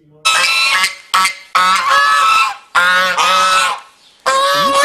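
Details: Swan goose living on a pond near an apartment, territorial and fed bread by people, honking to drive off those who don't feed it: five loud, harsh, nasal honks in irregular bursts, some brief, others drawn out about a second.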